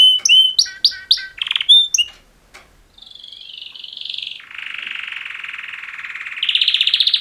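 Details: Two male canaries giving a mating-call song: bright whistled notes and short chirps, a brief pause, then long rapid buzzy trills shifting pitch in steps.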